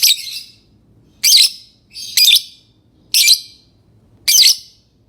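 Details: A lovebird gives loud, grating, high chirps about once a second, five bursts in a row, over a faint low hum.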